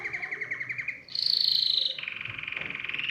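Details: Canary song meant to stimulate other birds to sing. A quick low trill jumps to a sustained high rolling phrase, then drops to a steady, pulsing mid-pitch trill.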